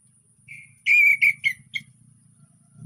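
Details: An orange-headed thrush sings calmly, a lure for thrushes that have stopped singing: one soft whistle, then three clear mid-pitched whistled notes and a final short slurred note, over low hum.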